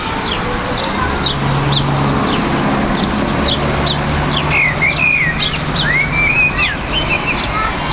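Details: A common blackbird in a tree next to a home, other local birds around, busy noise underneath; scattered high chirps, then a flowing whistled phrase of rising and dipping notes midway, constant heavy background rumble.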